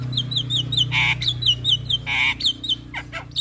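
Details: Javan myna singing a master song for young birds: repeated wavering whistled notes about four per second, interrupted by two harsh buzzy bursts, over a steady low hum.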